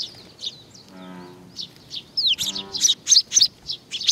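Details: Sparrows gathering to be fed at Tenmangu, Nakanoshima, 21 June 2020: a low droning tone twice, then a rapid run of loud, excited high chirps close together near the end.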